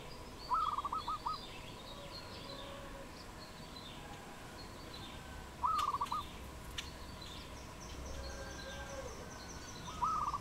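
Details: Wild dove in Cambodia, recorded 22 April 2020: quick stammering bursts of pulsed cooing notes recurring roughly every five seconds, with distant high bird chirps, a few sharp clicks and a steady background drone.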